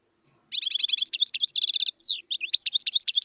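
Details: Wild European goldfinch singing a rapid, tinkling twitter of high trilled notes and short liquid chirps, with a brief gap and a sliding whistled note before the jangling phrase resumes.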